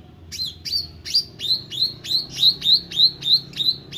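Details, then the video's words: Actively singing meranti bird delivering a steady series of about a dozen sharp, high, down-slurred whistled notes, roughly three each second, each note bright and ringing, over a faint low hum. "Burung Meranti Gacor"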